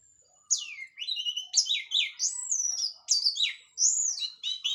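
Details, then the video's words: Continuous loud song from an orange-headed thrush of local Cililin stock just out of moult: sweeping downslurred whistles and quick varied phrases follow one another almost without pause, in the open 'plong' and drawn-out 'teler' manner. "KICAU ANIS MERAH PLONG + TELER LOKAL CILILIN BERES MABUNG"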